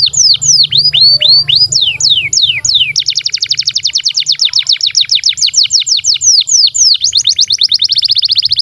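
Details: Canary singing a long master song for young canaries: slow descending whistles giving way to a rapid, even train of short falling notes and a buzzy trill at the close, with low hum.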